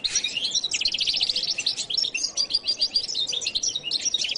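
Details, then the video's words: Continuous jilguero latino goldfinch song, a loud, dense and unbroken flow of high twittering, rapid trills and sweet whistled notes with hardly a gap. "canto de jilguero latino"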